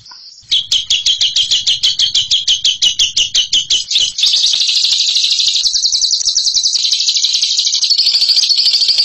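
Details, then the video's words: Bird in the long ngekek calling style, described as a champion at it: a run of sharp high chattering notes, about three per second, then a fast, unbroken high trill that runs to the end. "INI DIA JAGONYA NGEKEK"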